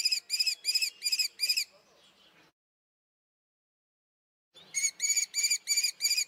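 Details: Common kestrel giving sharp, shrill, harmonic-rich notes in two bursts of about five rapid repeats, roughly three per second, separated by a silent pause.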